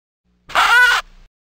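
A duck gives a single harsh, nasal quack about half a second long, with nothing else heard.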